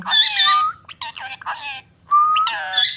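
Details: Ringneck parrot mimicking speech: rich, nasal, word-like syllables with a steady whistled tone in the middle, then another loud burst of talking at the end.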